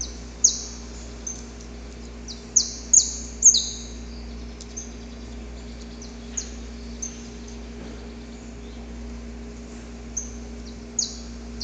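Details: Male saffron finch in the wild, singing at dawn as he courts a female. Bright, high chirps slide downward, bunched in a quick cluster early, then spaced out irregularly, with a low steady hum underneath.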